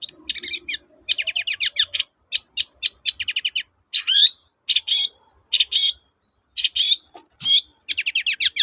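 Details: Long-tailed shrike singing in the 'toet-toet' style, meant to stir stalled shrikes into singing again; a varied run of grating buzzes, quick trills and sweeping whistled notes, delivered in short phrases.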